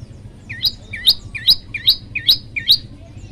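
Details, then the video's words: Prenjak lumut, a tailorbird, singing actively in a varied song: six two-part notes, each a low twang followed by a sharp high upslur, repeated about every 0.4 seconds over soft background hum. "prenjak lumut gacor variasi"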